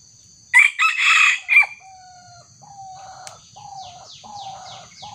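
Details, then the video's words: Young wild junglefowl in Indonesia, lured by a small decoy rooster during trapping, gives a harsh, broken crow of about four bursts lasting just over a second, followed by thin tonal whistles and soft buzzy sounds from other birds and insects. "mikat ayam hutan_pikat bocil-terkena senggolan ayam hutan muda"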